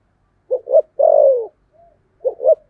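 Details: Spotted dove, 'thổ sấm' cooing style: a clipped double hoot leads into one long, broad coo that tapers downward, followed by a brief soft note and another double hoot.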